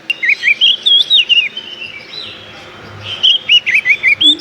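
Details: Bird sound played as an example of a bird that lives in trees: rapid bursts of high, twittering whistled notes, looping and warbling, in two phrases separated by a brief pause.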